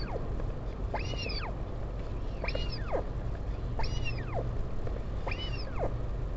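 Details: Parent visit to a northern royal albatross chick at Taiaroa Head, near Dunedin, New Zealand, 16 July 2019; four slurred, arching whine calls spaced about 1.4 seconds, somewhat quieter, with constant wind roar.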